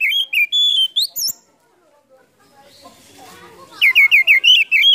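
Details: Oriental magpie-robin lure song for prompting silent birds to sing: clear whistled notes and rising slurs, then a quiet stretch with soft background murmur, ending in a quick series of six repeated falling whistles.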